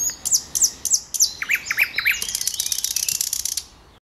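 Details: Thrush nightingale singing at Stawy Raszyńskie ponds, Poland, on 8 May 2022: a phrase of high, sharply falling whistles, then lower clipped notes, ending in a fast, dry rattling trill.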